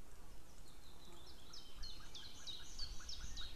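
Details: White-tailed eagles, a female and a distant male, calling outdoors on 2 May 2016 just before noon: a quick run of sharp, repeated yelping notes that build in strength, over steady low rumbling background noise.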